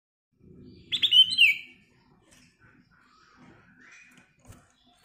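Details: Black-crested bulbul singing a lively prompting song: one bright whistled phrase with a rapid run of notes sliding downward, lasting under a second, followed by quiet rustling.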